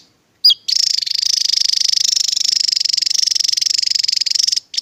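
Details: Javan tesia in tembakan burst song: one sharp high whistled note, then a long unbroken rapid high trill of evenly pulsed notes for about four seconds, slightly wavering in pitch; quiet background.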